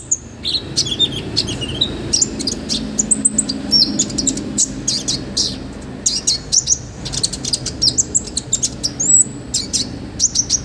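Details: Olive-backed sunbird singing hard, a master recording with a full, rich set of fill-ins for tutoring other birds: dense bursts of thin, high chirps, quick slurred whistles and clipped tweets over more than ten seconds.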